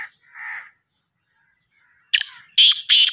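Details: Black francolin, called Sindhi kala teetar or Sahiwal teetar: a soft scratchy note, a pause, then three loud, harsh, grating bursts in quick sequence, each sharply cut off.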